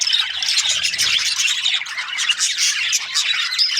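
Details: Brief burst of Australian budgie flock chatter: dense high twittering and squawky chirps running continuously, with a soft low knock early on.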